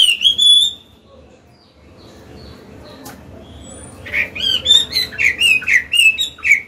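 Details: Chinese hwamei, an old wild-caught bird kept for training caged birds to sing, gives a long clear whistle, a pause, then a run of rapid rising and falling whistled notes repeated about four per second.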